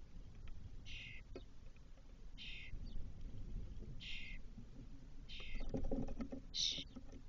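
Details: Spotless starling (Sturnus unicolor) at a cork-oak nest box in Doñana, Spain, 2023, where the eldest chick returned four hours after first leaving the nest: five harsh, hissing rasps about every one and a half seconds over low wind.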